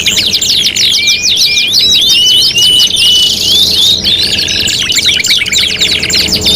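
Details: Canary song as a contest tutoring recording blending five song styles: dense, unbroken high trills of quick rising and falling whistled sweeps, overlapping voices, and a lower rattling run of repeated notes after four seconds.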